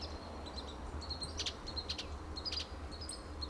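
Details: Western bluebird, an adult male in pines of Del Monte Forest, California: quick bright chip notes in small clusters, mixed with thin high whistled notes from other birds, over faint low background hum.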